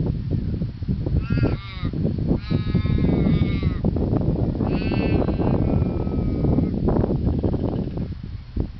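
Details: Australian raven at Lake Monger, Perth, Australia, uttering three long, nasal, moaning calls with rich harmonics. The second and third are stretched and trail off downward. Heavy low rumble, like wind, fills the background.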